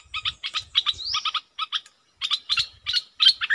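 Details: Red-whiskered bulbul used as a decoy bird, giving calling, double and 'rik' notes: bursts of short, harsh, buzzy notes in quick clusters, with a brief rising slur near the middle and short pauses between groups.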